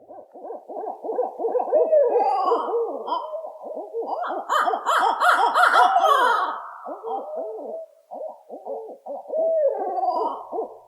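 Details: A male and female Barred Owl in a frenzied mating-season duet in the woods: rapid overlapping hoots, cackles and monkey-like squalls, the male's voice deeper and mellower, rising to a wild climax midway before settling.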